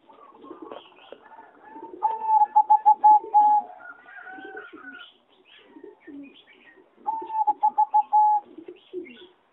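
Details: Singing zebra dove from a competition breeding line, caged in an aviary on 26 April 2014, gives two rapid staccato coo phrases ending in a sustained note, with rising whistles and soft chirps from neighbouring birds.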